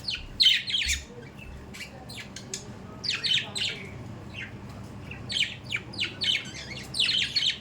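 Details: Kept budgerigars giving clusters of short, sharp chirps that drop in pitch, grouped in quick bursts every second or so, with quiet background hum.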